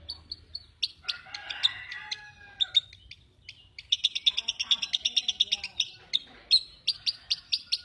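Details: Lovebird chatter: scattered sharp chirps, then a fast, even train of high clicking notes after a short pause, ending in separate emphatic chips.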